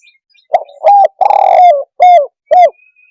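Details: Cooing of a spotted dove, used to agitate other birds: two short coos and a long burred note, then two separate downslurred coos, with a faint thin whistle near the end.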